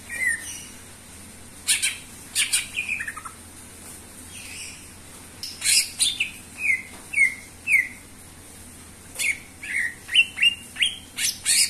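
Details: Greater green leafbird in full song, used as a lure recording for training other birds. A lively mix of sharp chirps and quick slurred whistles in bursts every second or so, with a faint low hum beneath.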